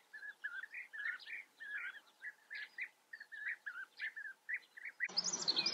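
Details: European bee-eaters in the Eifel, Germany: many short, rolling, purring notes, partly overlapping and repeated several times a second, as from a group calling together; the calls end in a sudden burst of loud rustling noise.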